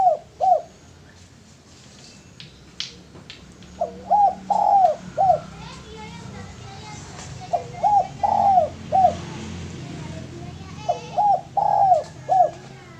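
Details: Male spotted dove, kept as a lure, repeating a rhythmic phrase of four or five low coos roughly every three to four seconds over a hum of background noise and faint voices.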